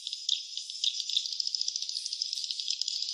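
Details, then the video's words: Swiftlet nest sound: a dense, continuous stream of high, dry chirps and rattling twitters with no pauses and no low sounds. "suara sarang burung walet ( swiftlet sound )"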